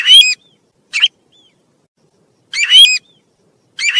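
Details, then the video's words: Tu huýt bird singing loud, clear phrases of harsh, ringing notes rich in overtones. Each lasts under half a second, with a soft thin whistle trailing some phrases. Four bursts are separated by silent gaps, with no other sounds. "tiếng chim tu huýt"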